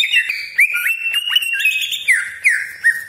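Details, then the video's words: Caged greater green leafbird in forceful song meant to excite rival leafbirds, giving sustained whistled notes that slide up and down, punctuated by sharp upward-flicking chirps roughly every half second and a few scratchy fragments. "CUCAK IJO GACOR DOR TEMBAKAN TAJAM BESETAN KASAR ROLL PANJANG FULL ISIAN"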